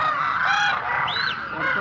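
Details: Flock of demoiselle cranes (koonj) giving a short burst of calling: overlapping, rattling trumpet notes, including one clear rising-then-falling call, many birds calling together without pause.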